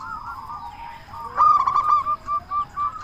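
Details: Local Zebra dove singing loudly to stir other doves into song: a low purring coo, then a sharp burst of rapid stuttered notes, followed by short evenly spaced cooing pulses.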